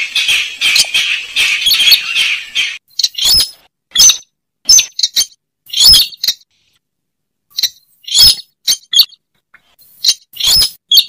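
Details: Lure call of the slaty-breasted rail, called weris or sintar semak: an opening rasping chatter, then sharp clipped kek notes in pairs and triplets separated by short silences.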